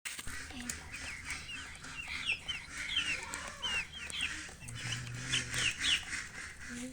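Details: Baby chickens peeping: high, thin chirps sliding downward, scattered in quick irregular bursts, with a low steady hum underneath.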